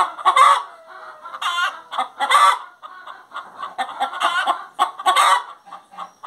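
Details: Singing hen giving a busy series of clucks punctuated by strident, nasal squawks every second or so, with a faint thin whistle running underneath.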